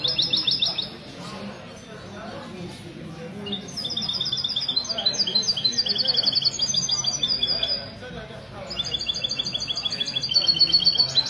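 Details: Goldfinch-hybrid mesto singing at a Sunday morning bird-club meet in a café, Ksar El Kebir, February 2020; high twittering and sustained trilled phrases run for most of the stretch, with background talk of people.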